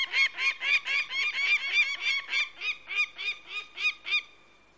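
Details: Rapid harsh cackling from a peregrine falcon: around fourteen rasping, nasal notes in quick succession, packed tightly at first, then spacing out and ending abruptly, followed by quiet.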